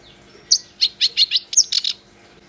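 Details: Song of a black-browed reed warbler: a rapid run of about eight scratchy, chattering notes, some with sharp high whistled tips, delivered in one energetic phrase against a quiet background.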